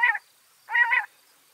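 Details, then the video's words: Two coarse, buzzy squawks from a backyard bird in Washington State, the second longer with a slight wavering middle, separated by a short silence. "Backyard Birds (4K) 2 Hour Ambient Nature Film with Real Bird Sounds - Washington State"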